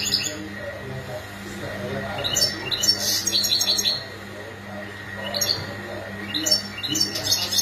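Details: European goldfinch mating and readiness calls: scattered clusters of sharp, high, buzzy chirps in three separate bursts, with a steady low hum throughout.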